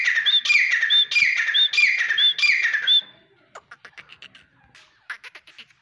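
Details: Grey francolin (teetar) giving five loud, harsh, rhythmic phrases, each grating burst topped by a rising whistled hook, repeated roughly every half second, then stopping; faint clicks and taps follow.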